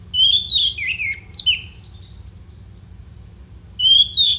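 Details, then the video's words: Orange-headed thrush singing clear, sharp phrases meant for songbird contest training: looping, slurred whistles that rise and fall, a long quiet stretch, then two bright high whistled notes. "MASTERAN ANIS MERAH GACOR FULL ISIAN TEMBAKAN TAJAM VOKAL JERNIH DURASI PANJANG ISIAN BURUNG LOMBA"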